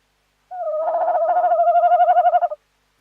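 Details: A single two-second wavering note from a tawny owl, 11 January 2026, pulsing rapidly and ending abruptly in otherwise silent surroundings.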